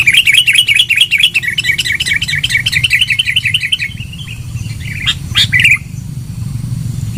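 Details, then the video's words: Sooty-headed bulbul, a loud, lively lure recording for attracting birds: a fast run of sharp, repeated chattering notes for about four seconds, then a few scattered louder notes, over a steady low hum. "Suara Pikat Burung KUTILANG GACOR.... suara keras"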